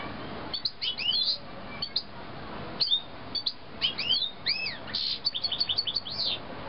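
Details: Canary youngsters from 2009 calling: bursts of high, arched chirps and quick rising-falling whistled notes, closing with a rapid run of about six repeated notes, against a faint background hum.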